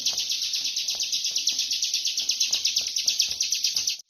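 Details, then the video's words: Ciblek kristal, the bar-winged prinia, delivering its tight 'ngebren' song without break: a high, fast, even-pulsed chatter of about eight notes per second lasting four seconds before stopping abruptly. "Burung ciblek kristal ngebren rapat"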